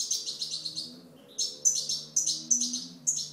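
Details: European goldfinch giving a fast run of high, tinkling notes, followed by a string of separate sliding chirps repeated roughly every half second.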